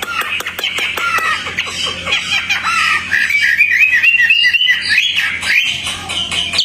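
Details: A tame Hwamei singing outdoors gives a loud, rich, continuous warble of varied whistled phrases, opening with a run of sharp clicks, over a faint low hum.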